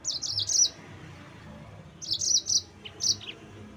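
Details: Yellow-fronted canary singing rolling 'ngerol' song to provoke rivals: two quick, high, buzzy trilled phrases, then a few separate sharp notes, over a faint low murmur.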